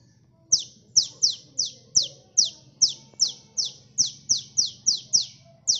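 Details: Sunbird (locally called kolibri) in lively, gacor singing used as a lure for trapping birds: a steady run of sharp, high descending chip notes, about two or three per second, with faint low hum beneath.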